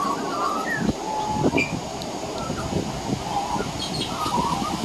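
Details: A juvenile male Australian magpie hiding on a veranda practises his carolling: scattered, quiet fluty notes and short whistles jumping between low and high pitches, over a steady low rumble; juvenile pied butcherbirds also practise nearby.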